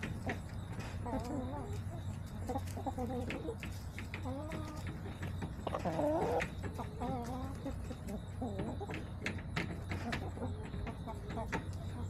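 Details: Backyard chickens recorded September 21, 2024, repeatedly clucking in short wavering, harmonic phrases roughly every second or two, with one louder, strained call near the middle, over sharp clicks and a low background hum.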